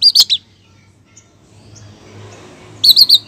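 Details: A female long-tailed shrike calls the male with a brief burst of three high, sharp notes, then near silence with faint background rumble, then another quick run of clipped chirps.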